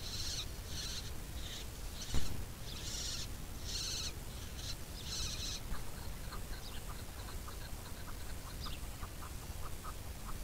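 Chukar giving a quick series of short, clipped chuck notes, repeated about three times a second, after a stretch of higher hissing bursts over steady low rumble.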